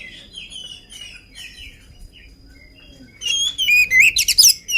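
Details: Oriental magpie-robin, unfed and vocal, singing soft, distant-sounding whistled phrases that break into a loud, rapid stream of high, slurred whistles and twittering notes near the end.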